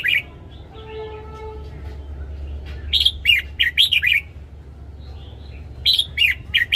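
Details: Caged red-whiskered bulbul morning song for training birds: a short opening note, a faint thin whistle, then two bursts of rapid sharp warbled notes separated by a pause, over a low hum.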